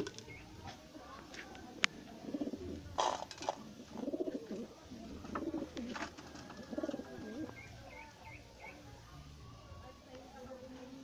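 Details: Pet pigeons being fed give low, rolling coos in bursts every second or two, with a few faint higher chirps and light clicks and knocks around them.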